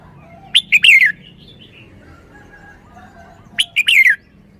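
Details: Caged red-whiskered bulbul in Thailand singing its show phrase: two loud bursts of short, bright, descending whistled notes, each three to four notes ending in a falling slur, about three seconds apart, over quiet background.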